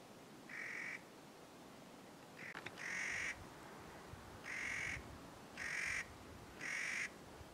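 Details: Clark's nutcracker uttering a series of rasping, nasal calls of about half a second each, given at irregular intervals, with faint low background rumble.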